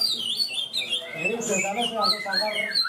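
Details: Caged greater green leafbird in the main leafbird class of a practice singing contest at Ronggolawe, Malinau, North Kalimantan, where it won best; bright whistled phrases slur up and down, quick high notes with twittering overlaid, crowd murmur beneath.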